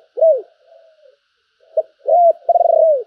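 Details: Spotted dove kept as a decoy, cooing in the thúc and calling style. An arched hoarse coo and a faint trailing note come first, then a short note, a rising-falling coo and a long rapidly pulsed note that drops in pitch.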